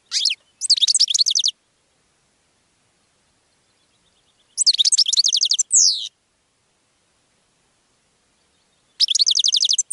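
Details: Goldfinch song meant to attract other birds: three bursts of high, rapid twittering and tinkling notes, each about a second long, separated by silent gaps of several seconds.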